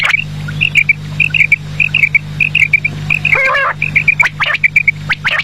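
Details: Quail in the evening repeating crisp, high, liquid notes in tight clusters of two or three, broken once by a louder rasping squawk, over a low steady hum.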